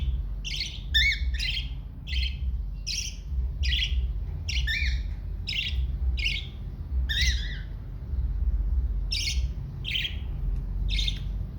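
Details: A baby cockatiel begs while being fed, giving harsh, raspy squawks about once per second. Some come in quick doubled bursts, all over a loud, steady low rumble.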